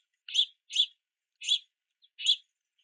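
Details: Four loud rasping chirps from young house finches begging to be fed at a rainy backyard feeder, the first two close together, then a pause before the last pair.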